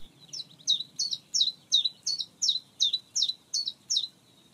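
Common Chiffchaff singing its name: bright, high two-note chiff-chaff phrases repeated about every half second, steady and see-sawing, over a faint low rumble.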